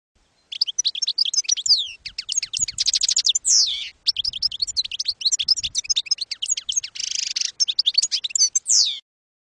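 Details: Campero-style European goldfinch song meant for educating young birds: a continuous stream of fast, high twittered phrases, rattling trills and sharp downslurred notes, with a harsh buzzy burst late in the phrase.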